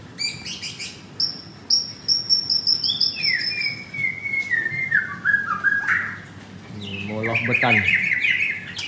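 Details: A caged white-rumped shama wearing a blue leg ring sings vigorously at a Kemayoran, Jakarta bird shop. High rapid ticking notes lead into a long descending whistled slide, ending in a harsh rattling burst.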